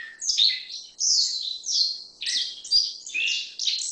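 A black-faced bunting gives high, sweet, jumbled chirping phrases that slur up and down, in bursts about a second apart. Nothing else is heard.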